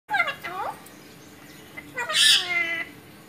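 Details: Pet Alexandrine parakeet talking: two short harmonic, nasal, speech-like phrases with sliding pitch, then a harsh, bright, hoarse syllable, in a quiet indoor setting.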